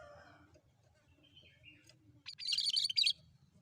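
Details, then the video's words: Cream-striped bulbul, known locally as cucak kerinci, singing as a bird lure: after faint other chirps and a low background hum, one rapid, scratchy, high chattering burst lasting nearly a second. "Burung cucak kerinci gacor!!"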